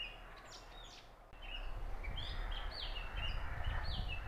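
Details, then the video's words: Oriental magpie-robin singing at Punnad, Iritty, Kannur, Kerala, India: a varied run of short, clear whistles and slurred notes, several each second, over a steady low rumble of wind or traffic. "Oriental magpie robin singing beautiful song | Indian magpie Robin singing sound and call"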